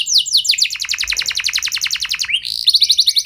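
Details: Canary rolling song aimed at stimulating other canaries: quick descending notes quicken into a dense buzzy trill, then a short rising slur and a new fast high trill.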